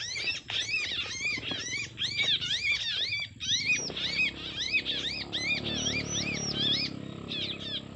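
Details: Lure recording of a bar-winged prinia's fighting song, said to draw in males: quick runs of high arched chirps tumbling over each other, slowing and thinning toward the end, with a faint low rumble beneath.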